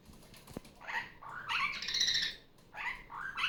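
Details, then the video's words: Pet female superb parrot, off her nest and playing indoors on a Sunday morning, produces a run of grating calls ending in a longer buzzy, wavering screech, then more short squawks, with a sharp click near the start. "Barraband parakeet sounds. Sunday morning playtime."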